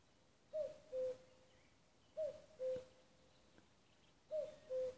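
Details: Three cu-coo calls from a common cuckoo in Nuuksio, Finland, 6 May 2015: a higher, falling first note followed by a lower, steady hoot, repeated about every two seconds.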